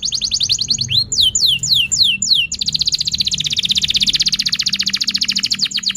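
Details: Canary singing as a lure for other canaries and for young birds learning: a handful of falling swept whistles, then a long, very rapid high trill sustained to the end.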